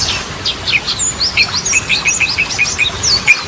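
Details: Yellow-vented bulbul in full song, trucukan style for reviving birds that fell silent: a steady stream of short, sharp, slurred chirps and whistles, high and bubbly, with no pauses.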